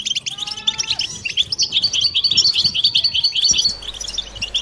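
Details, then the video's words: Group of European goldfinches in a mating-stimulation chorus: quick, sharp twittered notes repeated at a lively pace, opening with a few thin descending whistles, then a steady stream of bright chirps. "بتبتة حسون جماعية ضرورية لعلاج سكوت+تحفيز إنات لحسون قوى بتبتة جماعية لتحفيز حسون على تغريدة تزاوج"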